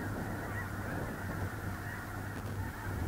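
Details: Dense snow goose flock, small lake in central North Dakota, early November 2021; a roaring mass of high honks and yelps with no pauses, backed by a low windy rumble.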